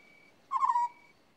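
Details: An African scops owl utters one short, croaking, trilled call that trails off downward, set against a faint, constant high-pitched insect drone.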